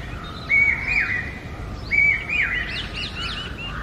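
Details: Papiha or brain fever bird, the common hawk-cuckoo: two piercing whistled phrases, each a held note dropping into a slur, followed by a cluster of higher chirps from other birds.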